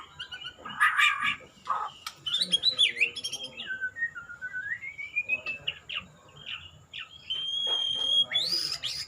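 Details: White-rumped shama singing in the bowing style, a varied run of rich whistles, slurred rising and falling notes, a long rising glide and sharp chips, with high thin tones near the end.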